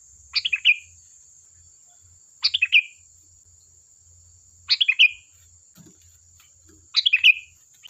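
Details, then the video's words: Lively sooty-headed bulbul song, used as a lure to draw replies from other bulbuls: four short bubbly phrases, each dropping from about a sharp chirp to a lower slurred note, repeated roughly every two seconds over a faint steady high whine. "Suara burung Kutilang Gacor || Ampuh untuk pancingan, dijamin nyaut"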